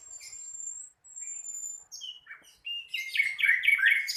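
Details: Young flycatcher, called sikatan londo, still learning its song: two long, thin high whistles, then a rising buzzy note and a dense burst of twittering, chattering phrases that grows louder toward the end.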